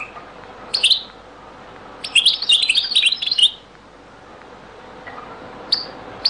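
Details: Goldfinch singing the old Beni Messous 'les avocats' or zaboka style: a lone sharp chirp, then a fast, high, jangling phrase of twittering notes lasting about a second and a half, followed by sparse single chirps.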